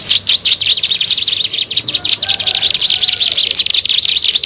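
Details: Plain prinia (ciblek sawah) on a lure track used to attract birds: a brisk, high, chattering run of chirps in quick bursts, with brief gaps between groups.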